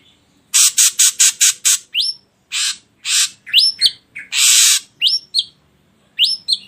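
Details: Ashy drongo song meant to stimulate other birds to sing. It opens with a rapid series of six harsh rasping bursts, then mixes further hoarse notes with sharp upswept whistles and chirps.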